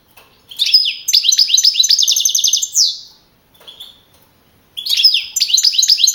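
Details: Contest-winning European goldfinch, a young male from the Madrid community judged in April 2012, sings a quick twittering phrase into a long, evenly repeated buzzy trill, falls silent, then resumes chattering.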